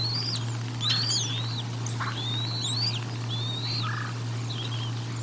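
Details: Bald eagle calls while feeding at the Decorah North nest on 04/01/2022: scattered thin, high whistles with sliding and kinked shapes, some short lower chirps, over a persistent low electrical-sounding hum.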